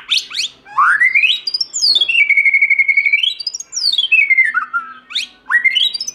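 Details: White-rumped shama in forest-voice song: long sweeping whistles gliding up and down, with a sustained level note between quick rising flourishes.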